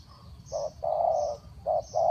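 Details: Spotted dove giving a lure call to draw birds down: a few low, hollow coos, one drawn out longer than the rest, over a soft steady insect hum.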